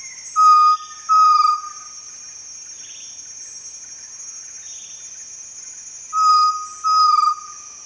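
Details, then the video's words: Chestnut-necklaced Partridge gives pairs of clear, level whistles, the second slightly longer and dropping at the end, repeated after a pause, over a steady high insect drone. "Chestnut-necklaced Partridge vocalization"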